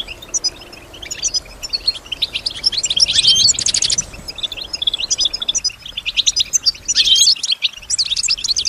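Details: A caged European goldfinch, said to respond musically to other sounds, delivers scratchy twittering and a dense buzzy trill, then further bright chirped phrases over a soft hiss.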